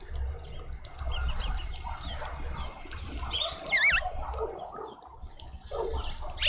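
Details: At a feeder in a suburban garden in Pretoria, South Africa, a Cape white-eye that keeps returning gives one short, bright, wavering whistle midway through, with faint chirps and low background rumble around it.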